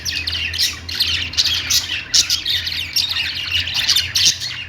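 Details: Kept Australian parakeets chatter loudly: dense, raspy chirping and squawks in pulsing waves, with a low electrical hum beneath.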